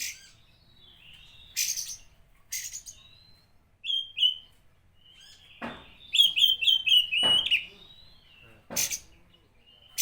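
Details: Oriental magpie-robin singing to stir up rival magpie-robins, mixing long level whistles, a quick series of falling whistled notes and loud abrupt rasping bursts, with quiet gaps between phrases.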